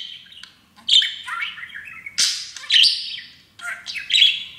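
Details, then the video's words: Parakeet kept as a pet, talking when happy on a new playground; three bursts of raspy, chattering imitation with sharp squeaky accents, brief silences between. "Auzzie the TALKING Parakeet!!!"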